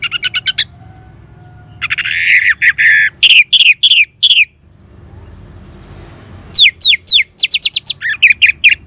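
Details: Orange-headed thrush song played to prompt caged birds to sing: bursts of rapid sharp notes, a harsh buzzy phrase, repeated slurred whistles, a quiet gap, then a fast run of clear rising and falling notes.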